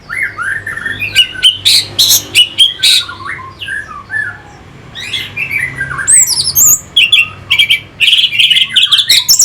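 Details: Orange-headed thrush song used as a lure to rouse fighting birds: a loud, varied run of slurred whistles and sharp chirps, many phrases jumping between low and very high notes, delivered in quick bursts with a faint low hum beneath.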